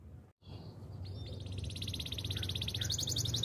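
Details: A Spanish Timbrado canary sings a training song, fainter behind steady low background noise; after a brief gap, thin high notes build into a rapid, continuous pulsing trill.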